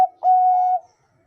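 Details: Zebra dove, Bangkok-style song (perkutut bangkok): a single steady, held coo lasting about half a second, after a short preceding note.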